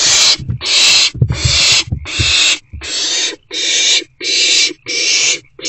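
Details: Owlet in an owl box at 7:50 pm on 4/1/24, excited by the first incoming food delivery of the night: harsh hissing screeches repeated about every second in steady bursts, with low thumping and scuffling early on.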